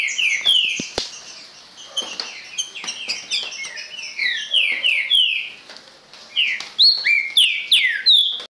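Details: Green-winged saltator with an owner, giving strong downward-gliding whistled notes in rapid runs, a short pause near the sixth second, then higher sharper phrases over background twittering.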